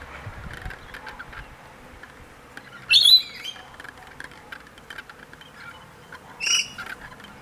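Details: Visiting wild rainbow lorikeets at a feeding tray in Queensland, Australia: two brief, harsh, high screeching chirps come about three seconds apart over a quiet, faintly buzzing background.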